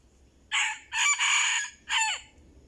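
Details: Red junglefowl of the Anulak decoy line crowing loudly and close: a hoarse three-part crow, a short opening burst, a longer rasping middle phrase, and a final note that drops away in pitch.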